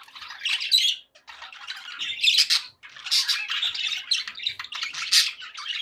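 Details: Happy budgies chatter in long scratchy runs of warbling and squawks, with short breaks between fast, high, bubbling phrases.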